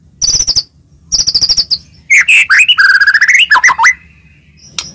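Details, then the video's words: White-rumped shama singing to provoke rival shamas: two bursts of very high, rapid ticking trills, then a rich varied whistled warble ending abruptly. "murai batu gacor, AMPUH buat pancingan murai batu agar bunyi"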